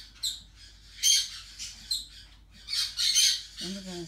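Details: Yellow-chevroned parakeet chick, four weeks old, making scratchy, broadband squawks in brief bursts with a longer grating run near the end, as a woman speaks gently in the room.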